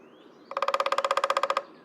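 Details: Downy woodpecker (Dryobates pubescens) drumming on a snag at the edge of Dyke Marsh along the George Washington Memorial Parkway; one quick, even roll of about seventeen hollow wooden knocks, the tone changing with which part of the wood is struck.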